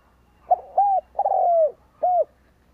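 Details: Decoy spotted dove giving its coo to draw in wild birds. Four soft, hollow notes: a brief opening note, a rounded coo, a longer coo sliding downward, then a final arched note after a gap. Quiet low hum in the background.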